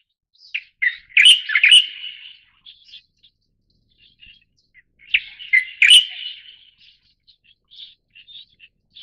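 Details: Leucistic light-vented bulbul (Pycnonotus sinensis formosae) giving two bursts of bright, jumbled chirping notes about four seconds apart, with scattered short chips between them; quiet background.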